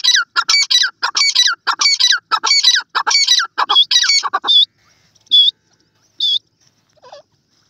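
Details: Iranian teetar, a partridge, singing: a loud, rapid series of harsh, ringing, chattering notes in tight bursts for about four and a half seconds, then three spaced single calls that fade out.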